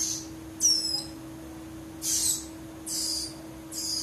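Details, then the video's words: Nestling prinia (ciblek rowo) calling, its voice compared to tell male from female chicks: hoarse, hissing high-pitched begging bursts, about half a second each, repeated roughly every second, over a steady low hum. "Perbedaan Suara Piyik Ciblek Rowo Apakah menentukan jantan dan betina"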